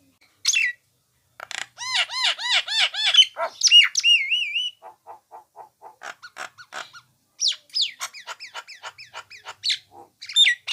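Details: Recording of a Nias hill myna for tutoring cage songbirds: a falling whistle, a fast run of looping arched notes, wavering warbles, then a long string of short clicking and chipping notes with scattered sharp squeaks.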